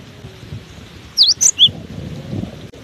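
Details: A cinereous tit battered by strong wind gives a brief phrase of three high whistled notes, one swooping, one short and piercing, one lower, surrounded by heavy low wind noise.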